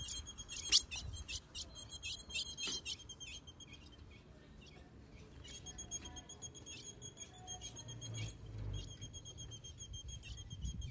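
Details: A female Ultramarine grosbeak soliciting mating from a male gives rapid, high, thin chips in quick bursts, over a low indoor hum.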